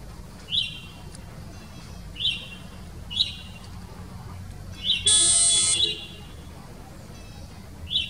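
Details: A male taiga flycatcher in spring moult into breeding plumage gives short, high, dry call notes at irregular 1–2 second intervals, with a brief harsh buzz and a low traffic hum.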